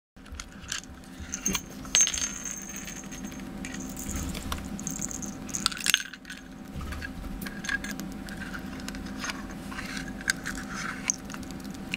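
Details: Metallic clinks and small rattling knocks over a steady electrical hum, with no clear animal voice.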